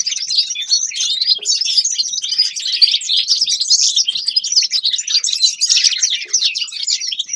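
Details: Grey-crowned goldfinch singing a dense, continuous twitter of high, rapid chirps and trills that flow together without pause.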